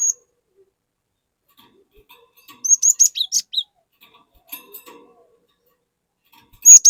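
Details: Cinereous tit, singing to coax an untrained tit into song: after near silence, one tight burst of shrill whistles and descending chips, then faint twitters and a sharp note at the end.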